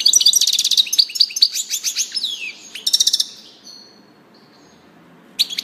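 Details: Goldfinch song: rapid liquid twitters and buzzy trilled bursts, one long descending slurred note, then a quiet stretch with thin faint tones before a short twitter restarts at the end.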